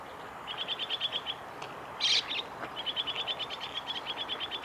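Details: At the Kitafuji training area, Japan, on 2 July 2017, a Chestnut-cheeked starling gives long even runs of fast ticking chirps, broken midway by one loud harsh squeak, over faint ambient hiss.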